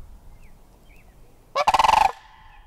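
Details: Sandhill crane giving a single loud, rolling bugle of rapid throaty pulses lasting about half a second, then a quiet background.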